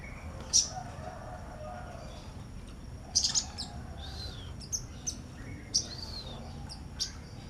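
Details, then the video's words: Sunbird chirping next to a female: single thin, very high, sharp tweets spaced irregularly, some doubled, with soft downslurred whistles between them and a constant low hum behind. "sogok ontong)nyrecettt nyrecett di samping konin beti"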